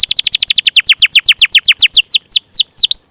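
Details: Canary singing to spur silent or juvenile canaries into song: a quick series of sharply descending notes that gradually slows into separate sweeping whistles with rising hooks.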